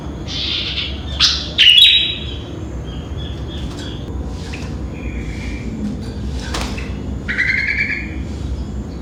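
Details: Sooty-headed bulbul singing in the morning around five o'clock: scattered bright whistled notes and short chirps, a clear fluty phrase near the start and a buzzy trilled note near the end, over a steady low background hum.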